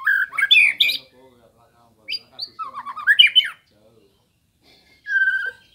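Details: White-rumped shama master song for training kept birds, in short bursts: a quick chattering phrase, a pause, a rolling series of rapid notes, then a clear descending whistle after another gap.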